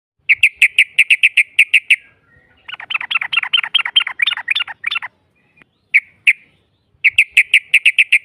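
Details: Yellow-vented bulbul lure song in the long 'ropel' style, used to provoke a rival into answering: bursts of rapid bright repeated notes, a stretch of fast bubbly chatter, then more quick repeated notes.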